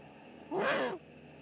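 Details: Food drop at a Eurasian eagle-owl nest in the Eifel, 13 March 2019: the male brings the female supper, probably a pigeon. A single rough, wheezy call, rising then sinking, lasts about half a second amid light hiss.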